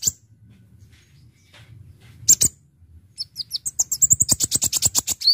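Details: Brown-throated sunbird, locally called Kolibri Ninja or Konin, singing as a lure for catching birds: near silence, then a few sharp high chirps, building into a rapid run of crisp, very high notes, about ten a second, at the end.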